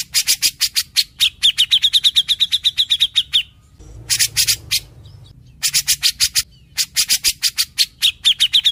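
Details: Grey-cheeked bulbul in constant, lively song: long rapid strings of sharp repeated high notes, broken by short gaps and louder raspy bursts, then resuming the fast even rhythm.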